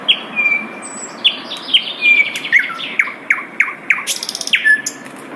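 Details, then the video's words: Wild Asian brown flycatcher song: a run of sharp high chirps and thin whistled notes, several descending slurs, ending with a rapid ticking series and a brief noisy burst. "SUARA MERDU SIKATAN LONDO DI ALAM LIAR"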